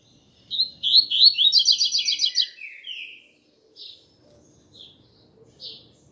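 A Double-collared Seedeater sings a quick, high, twittering phrase of rising slurred notes and a rapid bubbling trill, then a few scattered single chirps.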